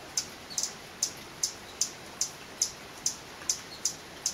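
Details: Male Violet Sabrewing singing on a rainy day in a Guatemalan cloud forest: a series of sharp, very high, thin chips, about eleven in four seconds, repeated at a fairly steady pace over a soft background hiss.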